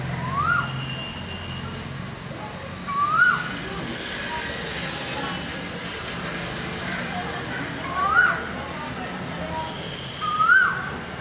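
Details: Male Asian koel (Eudynamys scolopaceus) singing close up: four loud, rising 'ko-el' whistles, spaced a few seconds apart, over a low background rumble.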